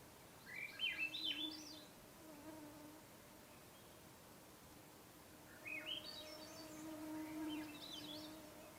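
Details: Swainson's Thrush at an evening campsite on a Lake Superior wilderness canoe trip, before sunset, gives two fluty phrases that spiral upward about four seconds apart over a steady low hum.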